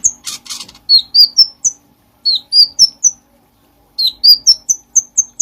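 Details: Light-vented bulbul in full song, used as a tutor recording for training other songbirds: high, thin whistled notes in short phrases, each phrase rising step by step, with a brief rasping burst near the start.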